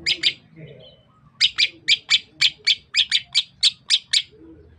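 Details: Greater green leafbird of the Sukamade (Meru Betiri) variety from East Java gives two chips, a pause, then a fast, even series of harsh, clipped notes repeated about three or four per second, over a background hum.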